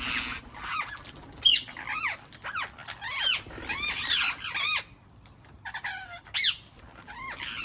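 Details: Wild parrots calling in a garden, a chorus of harsh arched squawks and screeches overlapping from several birds, some calls rising then falling, with brief quieter gaps.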